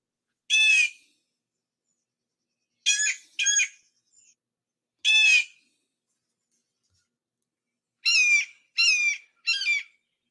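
A Blue Jay mimics a Red-shouldered Hawk: seven loud, harsh, down-slurred screams, given singly or in quick pairs and trios, a few seconds apart.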